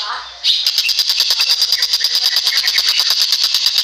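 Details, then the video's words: Common iora song used as a training recording for other birds: after a brief lower sound, a loud, rapid and very regular series of high sharp notes, about three a second, runs steadily to the end. "Ocean Burung TENGKEK BUTO Masteran Paling Ampuh"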